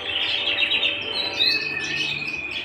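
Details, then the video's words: Canary at home delivering a short burst of song: rapid chattering trill that shifts into a sustained, ringing whistled note toward the end. "canary bird - canary singing - canary sounds - canary singing at home"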